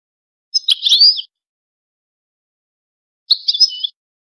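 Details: Two brief bursts of high, jumbled twittering from a goldfinch, the first about three-quarters of a second long, the second shorter, separated by a two-second pause in clean silence.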